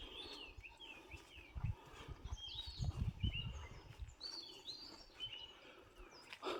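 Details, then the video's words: On a trek in the Sathuragiri hills, several small birds (sparrows) chirp at once with quick, thin, high notes and short whistled phrases, heard only when people aren't moving about. Another bird calls differently; footsteps or handling noise rumble midway. "நடமாட்டம் இருக்கிறப்ப இந்த அளவுக்கு இந்த குருவிகளோட சத்தம் கேட்கவே கேட்காது."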